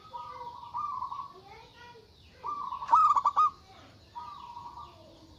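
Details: Loud local zebra dove singing to provoke rivals, agitated: soft drawn-out cooing phrases broken by a sharp burst of four or five rapid, clipped notes midway, then a quieter level trailing coo.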